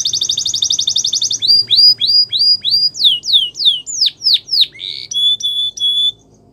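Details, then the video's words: Singing canary opens with a very rapid trill. It moves into a series of separate down-slurred whistles, then loud falling sweeps, and ends on a few short, level, piping notes. "Canary Birds Song | The Best Canary Sounds"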